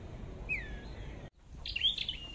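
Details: Flowerpecker calling during bird trapping in Vietnam: a thin, high descending whistle, then after a brief break a sharper, louder burst of high chirping notes.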